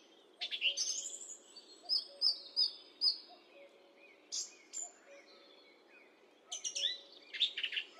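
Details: Song thrush song through a high definition microphone; a bright whistle motif repeated three or four times in quick succession, then pauses and a fresh burst of harsh notes, faint background hum.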